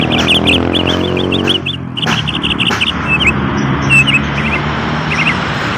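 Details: Bali myna song: rapid bursts of short, high chirping notes in quick runs during the first three seconds, then scattered brief twittering phrases, all over a steady low rumbling hum.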